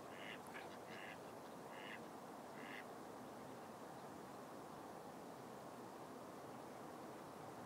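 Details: Spotted sandpiper: five short, clear high notes given in a quick irregular series over about three seconds, then only a steady hiss of background noise.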